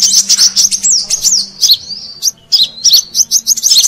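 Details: Lure call of the Brown-throated sunbird for attracting wild birds in Indonesia: high sharp chirps, slurred downward whistles and fast twitters in uneven bursts, over a faint low hum.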